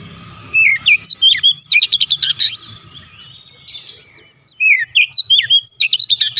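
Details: Oriental magpie-robin, recorded to encourage a lazy bird into energetic song: rapid bursts of whistles mixed with buzzy, clipped notes, a brief soft interlude, then another lively fast series.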